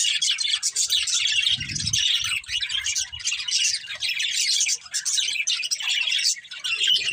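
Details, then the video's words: Pet budgerigars in a family group chirping together: a dense, continuous chatter of high, scratchy warbles and chirps overlapping throughout, with a brief low thump near the start. "Cute Budgies Chirping Sounds"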